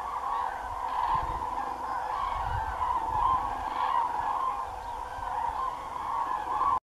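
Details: A large flock of common cranes flies over the marshes of Doñana National Park, where they will spend the night, calling constantly in a dense overlapping chorus of loud, trumpeting, rolling calls with a low rumble of wind beneath.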